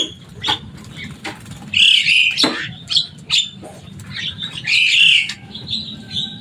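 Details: A Javan myna, known for its loud, busy voice and ability to copy speech, gives harsh buzzy squawks and sharp clicks, with two louder rasping bursts, over a faint low hum.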